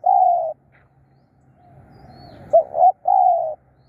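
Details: Mellow cooing of a spotted dove used to lure wild birds: a long drawn note, a pause with faint rustling, then two short notes and another long coo.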